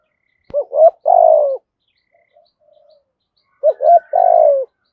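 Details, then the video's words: Decoy spotted dove of the prized 'giọng thổ' voice style, kept to lure wild doves; two low cooing phrases, each a quick double note then a longer sliding coo, about three seconds apart, with quiet between. "Chim Cu Mồi, cu gay giong tho cuc dinh"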